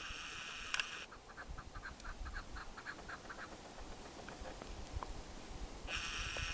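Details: Chukar partridge, called keklik, in the Pamir mountains of Tajikistan, 2021: a run of short repeated clucking notes, faint at first, with a steady hiss of running water or wind at the start and end.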